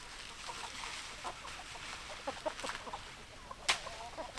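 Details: Chickens, hens and roosters together, giving low, scattered clucks with short harmonic notes, then one sharp loud click toward the end, all over a constant hiss.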